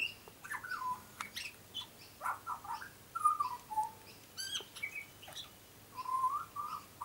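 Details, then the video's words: A young, very tame butcherbird with lighter black colouring, a frequent visitor, sings a rambling run of short fluty whistles, some slurred up or down, with a few scratchy clicks between phrases. "Young Butcher Bird is singing a song"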